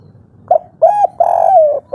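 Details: Agitated spotted dove call in the 'kuk 3' local style, meant to provoke other doves to reply. A short coo, then an arched coo, then a long rolling coo that slides downward, in a quiet setting.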